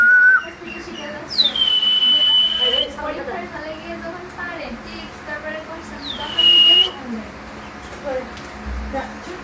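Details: A pet hill myna, said to be from the Chittagong hills, mimics human speech, with two loud, clear whistles that drop sharply then hold steady, a few seconds apart, while background voices murmur in a small room.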